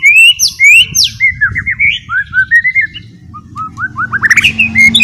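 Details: White-rumped shama lure song to make a chattering murai batu sing fully: high rising whistles, then a descending series of short slurred notes, finishing in quick ascending chips, over a soft low hum.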